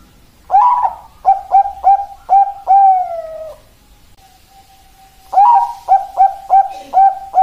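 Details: Bangkok-type zebra dove (perkutut) song: a rising opener, four quick clipped coos and a long falling final coo, then a faint steady tone during a pause before the phrase starts again with rapid coos.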